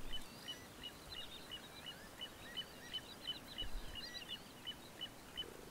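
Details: Little ringed plover in spring in the Moscow region, a male loudly claiming territory, giving short, clear, high piping notes, repeated roughly every third of a second over a steady low rumble of wind or traffic.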